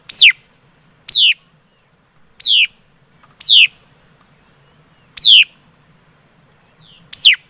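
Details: Mi đất laughingthrush delivering six strong, abrupt whistled notes that fall steeply in pitch, spaced about one to two seconds apart, with a faint soft slur between two of them and low background hum.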